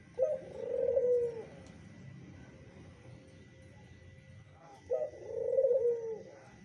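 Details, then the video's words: Zebra dove reacting to a lure sound: two separate low, warbling coos, each beginning with an abrupt note and rolling for about a second, divided by a long quiet stretch of faint background hum. "perkutut aja minta ampun mendengar pancingan ini"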